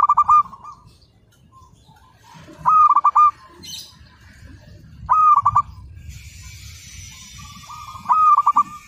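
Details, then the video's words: Local Indonesian zebra dove (perkutut lokal) singing for use as a master training recording: low cooing phrases with a quick stuttered run of notes, repeated about every two and a half seconds, with a faint hiss between phrases. "Perkutut Lokal Gacor, Masteran Anti Gagal"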